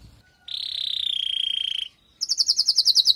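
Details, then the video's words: Female canary calling to stimulate the male after his moult: a sustained high rattling trill lasting over a second, a pause, then quick falling whistled notes repeated several times per second. "نداء انثى الكناري لتجهيز وتحفيز ذكر الكناري بعد غيار الريش"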